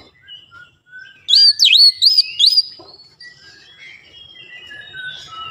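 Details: White-rumped shama lure song for provoking other birds: one loud burst of four or five swooping whistled notes, followed by softer, thin whistles in the background.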